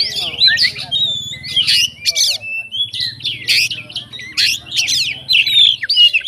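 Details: Fighter Oriental magpie-robin song meant to provoke other magpie-robins: harsh scratchy bursts mixed with clear whistled slurs, delivered in rapid uneven phrases, a low hum underneath.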